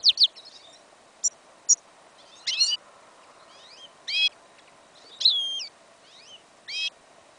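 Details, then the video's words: Hybrid of goldfinch and yellow isabel canary singing outdoors in a field in winter, incomplete song of loud varied phrases: quick chirps, buzzy bursts and sweeping whistled notes spaced every second or so, with faint low background hum. "Прослушка гибрида щегла"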